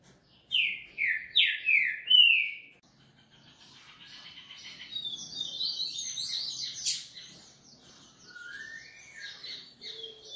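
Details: Breeder-kept coleiro (Double-collared Seedeater) opening with four loud downslurred whistles, followed by a quieter stretch of rapid high twittering and a final falling whistle.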